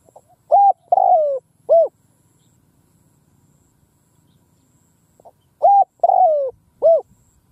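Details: Decoy spotted dove on the ground, calling in an open field to lure wild doves: two loud three-note coo phrases about four seconds apart, each a short note, a long falling note and a short arched note, with quiet low background rumble.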